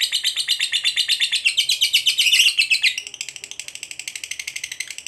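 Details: Lovebird, described as a fighter bird, giving a long ngekek trill to provoke a rival: dense high chattering that swells louder for three seconds, then continues softer and faster to the end.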